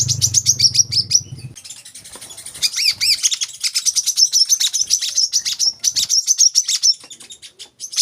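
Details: Olive-backed sunbird (kolibri kelapa) delivering a continuous, fast, high-pitched chattering trill with slight pitch wavering, a low hum beneath the opening second and a half.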